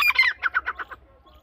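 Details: Francolin chicks, described as dakhni irani teetar young, during feeding: a quick run of about seven short, bright chirps, the first loud and slurred, the rest evenly spaced and fading over one second, then quiet.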